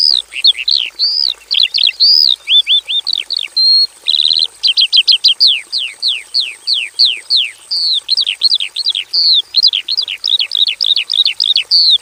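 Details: Vigorous song of a caged Javan bush lark in a simple aviary: varied chirps and a short buzz give way to a long run of rapid, evenly spaced downslurred notes, then mixed twittering, all high-pitched over a faint whine.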